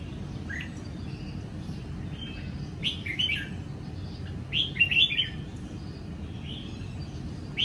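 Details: Morning ché song of a caged Sông Kon red-whiskered bulbul taking light sun after losing its wild feathers, 20 April 2022: scattered short whistled chirps building to a quick twittering phrase near five seconds, steady low hum behind.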